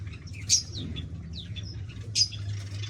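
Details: Pet Bengalese (society) finches in an aviary give short, sharp high chirps, two louder ones about 1.7 seconds apart among softer twittering, over a steady low hum.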